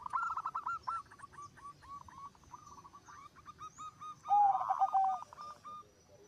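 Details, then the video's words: Zebra dove singing steadily, a song said to prompt other zebra doves to join in: strings of short rolling coos, then a loud burst with a low sustained whistle and bubbling repeats. Further doves call softly in the background. "Suara Perkutut Gacor Suara nya bikin Burung Perkutut Lain Ikut BUNYI"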